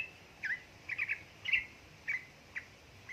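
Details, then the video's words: Yellow-vented bulbul lure recording, female calling male, meant to stir lazy birds into song in ropel ngeriwik style: short bright chirps, some slurred downward, in small clusters roughly every half second over faint hiss. "pancingan burung trucuk gacor ropel ngeriwik|| suara untuk trucuka bahan malas malasan bunyi"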